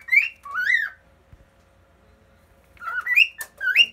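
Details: Cockatiel kept as a pet sings from the top of a fridge while another cockatiel looks on: two swooping whistled phrases, about two seconds of quiet, then more rising whistles and a brief sharp click.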